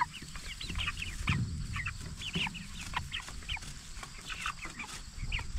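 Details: Group of 44-day-old jumbo Cornish Cross broilers grown for meat chirping in scattered high piping notes, a few at a time, against a low continuous rumble and occasional knocks.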